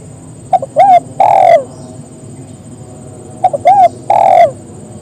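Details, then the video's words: Spotted dove calling companions to join in, giving two phrases of a brief soft note, an arched coo and a long falling coo, about three seconds apart, over faint low hum. "Suara burung tekukur memangil teman agar ikut bunyi"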